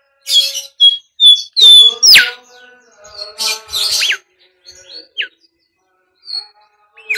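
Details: Bimoli whistles played to lure and train birds: several short high whistled notes, a quick upward sweep, then scattered downward-slurred chirps with gaps between phrases.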